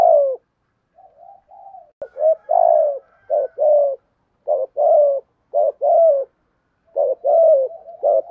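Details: 'Thúc gù' cooing of a spotted dove, 'giọng thổ' voice. Soft murmured notes open the clip, then strong rounded coos follow in a steady string, each slightly downslurred, with brief pauses.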